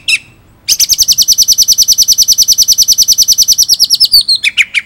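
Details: Shama (murai) from Indonesia, a vigorous singer recorded as tutor material featuring the rolling ngerol style: one quick chip, a pause, then a rapid, very even trill of about thirty notes that bends downward into a few closing notes.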